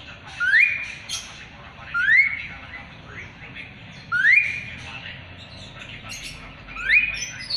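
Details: Asian pied starling, used as a song tutor for magpie-robins, gives clear upslurred whistles, rising sharply and repeated roughly every two seconds, with faint chatter between them.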